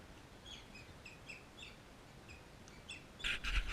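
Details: Crimson rosella at a backyard feeder in Canberra, Australia, recorded on a GoPro: a quick series of short, high chirps repeating through the first three seconds, then a loud burst of rustling and clattering at the end.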